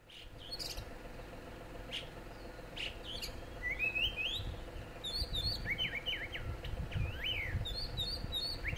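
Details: Oriental magpie-robin (Copsychus saularis), wild, at Cameron Highlands, Malaysia, giving rapid, varied whistles with rising and falling slurs and sharp high notes over a steady low background rumble.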